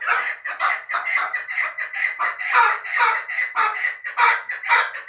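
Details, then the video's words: Young fighting chukar partridge calling continuously in dense, overlapping grating chuck notes with a hoarse, churring quality and no breaks. "Кабки Кучим"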